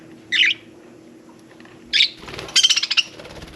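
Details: Pet budgerigar, parakeet, indoors around a bath: two short separate chirps, then a burst of rapid clicking, scratchy notes, possibly wing flutter.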